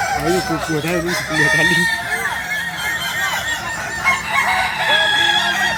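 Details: Native Kukuak Balenggek fowl of Solok, West Sumatra: low, pulsed clucking-like notes open, then higher, drawn-out crows from several birds follow one another, layered over steady background noise.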